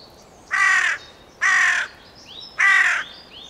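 Three harsh, rasping caws from a carrion crow, each about half a second long and spaced roughly a second apart, with faint chirps of small birds behind.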